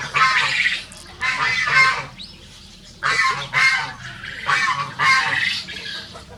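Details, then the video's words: Two Rosecomb bantam roosters, small show birds free ranging, crow in turn in a duet: harsh, high-pitched bursts under a second long, repeating about every second or two with short pauses. "Rooster Crowing Duet"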